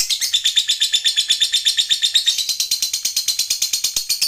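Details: Long ngekek trill of a lovebird used as master song for other cage birds, an unbroken run of rapid, high, buzzy repeated notes pulsing steadily without pause throughout.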